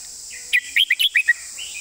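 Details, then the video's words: Red-whiskered bulbul singing a clear 'master song' style phrase: six quick whistled notes, rising and falling around mid-high pitch, each crisp and separate, over a steady high insect-like hiss. "วางสำนวนชัดๆ"เดินเพลงแม่บท ชัดถ้อยชัดคำ"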